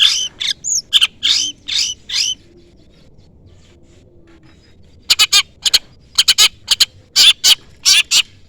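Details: Long-tailed shrike calling out a rival, from a lure recording meant to make other shrikes answer: a burst of harsh, buzzy chattering notes, a two-second pause, then another run of loud, rasping calls in uneven groups.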